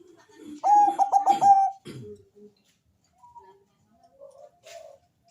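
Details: Deep-voiced Bangkok zebra dove singing as a lure for other doves: a loud burst of quick, stuttered coos run together, followed by lower rough notes and a few faint, soft coos before quiet.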